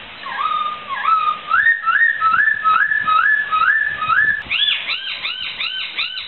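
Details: Laughingthrush song for training pet songbirds: a rhythmic series of about eight rising two-step whistles, followed by rapid arched, ringing notes repeated several times.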